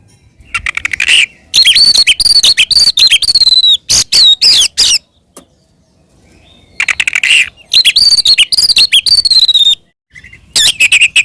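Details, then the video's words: Provoking fighting song of an Oriental magpie-robin: dense bursts of harsh, rapid chirps and whistled notes in two long bouts, separated by a quiet pause. "SUARA BURUNG kacer gacor NGEPLONG TARUNG ini paling AMPUH buat PANCINGAN KACER agar EMOSI NYAUT"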